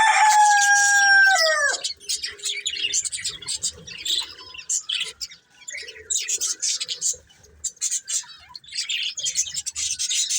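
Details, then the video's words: Breeding pair of colourful budgerigars: a loud falling whistled note with bright overtones opens, then scratchy, rapid chirps and chatter come in irregular bursts. "Colourful Budgies Chirping Sounds"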